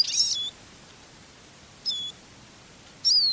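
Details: Eurasian siskin decoy working at a songbird trapping hide during heavy fog with a north wind; thin, high, falling whistled calls with short buzzy onsets sound three times, about every 1.5 seconds.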